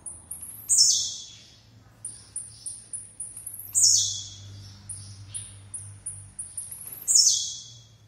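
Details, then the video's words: Repeated song of a blue-black grassquit: bursts of thin high notes, each series ending in a loud, rasping downward buzz. Three phrases about three seconds apart, with a faint low hum behind. "TIZIU DANDO UM SHOW"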